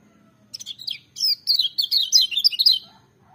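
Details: Bright, fast chattering song from a lemon-bellied white-eye: a short opening of high chirps, then a dense run of quick slurred whistles lasting about two seconds, over a faint low background hum.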